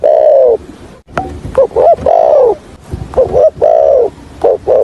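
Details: Trapping decoy spotted dove in the thổ hạp bổi voice: long sustained coos alternate with clusters of brief stuttered hoots, low and mellow, with faint clicks between phrases.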